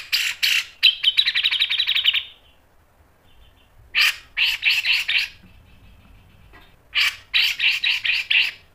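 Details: Grey-cheeked bulbul, a male or female bird, sings in bursts of harsh chattering notes around mid-high pitch: a dense two-second rattle, then a pause, then two groups of five or six rapid loud notes separated by short silences.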